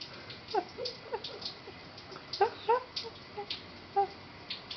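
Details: Pet red-crowned parakeet bathing in a kitchen sink, giving scattered short, nasal chattering notes, some in quick pairs, over faint background hiss.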